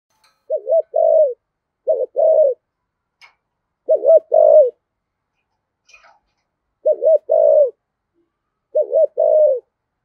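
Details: Repeated spotted dove cooing in the rumbling thổ voice style, played to spur wild-caught doves to call back: five low phrases roughly every two seconds, each a fast double note and a longer falling coo, with faint clicks.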